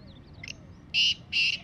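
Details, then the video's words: Wild black francolin calling in the jungle: a few faint, short notes, then two loud, harsh, buzzy calls of even length about a third of a second apart, with a quiet background. "Kala Teetar ki Awaz"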